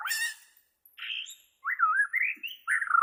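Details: Bornean white-rumped shama singing, for training captive birds: a harsh chattering burst, a short buzzy note, then a wavering whistled phrase rising and ending in fluttering trills.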